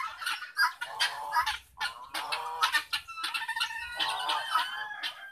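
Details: Kept guinea fowl, ten in an enclosure, three outside a window serving as an alarm and four young ones, give harsh, grating, repeated calls, several birds overlapping in a noisy chorus.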